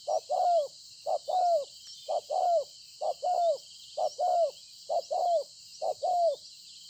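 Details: Spotted dove, a wild field bird recorded 26 September 2020, cooing: seven regular two-note phrases, a brief note then a longer slurred falling one, close to one per second, over a persistent high insect whine.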